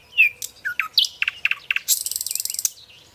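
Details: Nightingale singing: a clear high whistle, then slurred downward notes and a run of sharp repeated chips, ending in a fast buzzy rattle about a second long.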